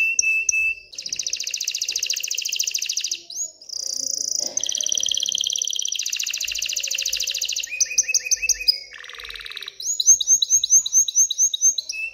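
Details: Excited male canary singing to stimulate females to mate and build a nest: long continuous song of varied high trills, buzzy rolls and rapid repeated whistled notes, changing pattern every second or two.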